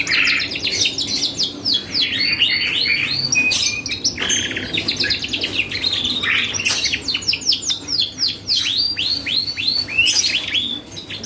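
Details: Long, lively canary song meant to provoke a reply from other birds, shifting between rapid rattling trills, sharp downswept chirps and brief whistled notes, nearly unbroken.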